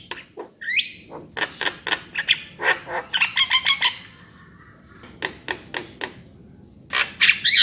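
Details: Javan myna singing rapid harsh clicks and rasps mixed with a rising whistle, a quiet pause past the middle, then loud squawks again.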